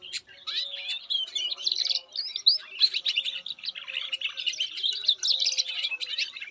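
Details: Canary song: energetic high twittering with rolling trills and clipped whistled notes, loudness pulsing in short phrases, over a quiet low hum.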